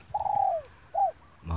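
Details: A spotted dove is heard while being lured toward a trap with a decoy bird on 9 March 2021. It gives a long coo that slides downward, then a shorter arched coo, followed by a brief thump.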